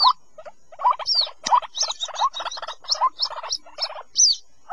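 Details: Waterhen chick calls played to lure adult birds out of thick cover for trapping: rapid stuttering bursts of low rising notes, with higher squeaky slurred chips woven between them.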